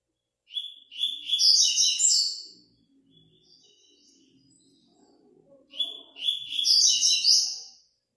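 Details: 7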